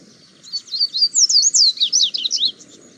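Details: Double-collared seedeater singing free in the wild, recorded on a mobile phone: a fast, high, warbled phrase of sweeping whistled notes rising and falling, lasting about two seconds, over a low background rumble.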